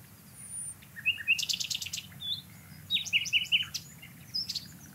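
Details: Common Nightingale song recorded in Portugal: bursts of rich, varied notes, with quick high clicks, short whistles and brief trills in separate phrases, set against a low, steady background rumble.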